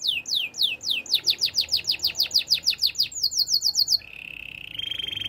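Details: Singing male canary delivering a long series of clear downward-sweeping notes, about three per second, shifting to a faster high phrase and ending in two level, rattling trills.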